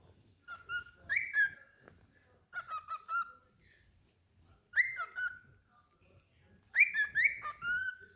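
A cockatiel whistles short, slurred phrases in bursts every couple of seconds.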